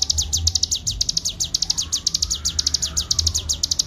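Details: Clear master recording of a Bar-winged prinia in ngebren style: quick succession of sharp, high chirps falling in pitch, packed closely and unbroken, with a faint background hum and a soft whine mid-clip.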